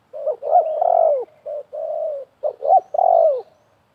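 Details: Wild spotted dove answering a decoy during a 2024 trapping session; loud, close coos in a quick run of short notes and longer held, wavering tones.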